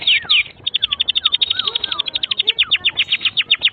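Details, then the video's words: Tutor song for young canaries: a quick run of bright clipped chirps repeated about four per second, with slurred downward whistles woven between them. "Kenari GACOR PANJANG INI Cocok untuk Masteran KENARI PAUD dan Kenari Macet BUNYI"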